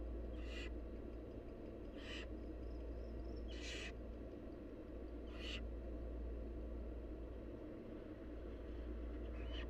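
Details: Wild barn owl chicks in the nest beg while their mother feeds them, giving five breathy, hoarse screeches roughly every one and a half seconds, with a continuous low hum beneath.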